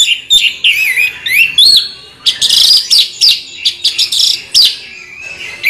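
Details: Orange-headed thrush in a rolling song of swooping whistles followed by dense, scratchy warbling phrases, high and rapid.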